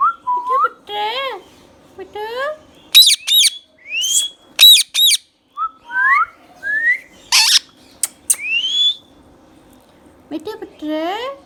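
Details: Pet green Indian ringneck parakeet, kept as a talking bird, giving a lively string of clear whistled notes, rising and falling slurs, and harsh harmonic squawks in short bursts about every half second to second, in a quiet room.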